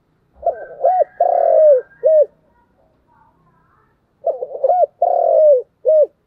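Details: Thúc gù cooing from a spotted dove, continuous: a phrase of clipped notes, a drawn-out descending coo and a brief last note, repeated after a quiet gap with faint murmurs.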